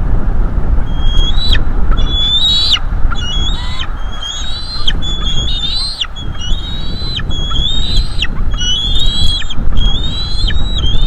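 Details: Bald eagle eaglets, a female and a male judged by size, calling in their northeast Florida nest, 5-6 May 2022, shortly before leaving it, sensitive live-feed microphone: a steady series of high, thin whistles, rising then breaking down, about every second, over a low rumble.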